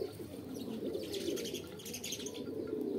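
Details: Deep pigeon cooing runs underneath bright, busy chirping from small birds, with some soft wing-flapping.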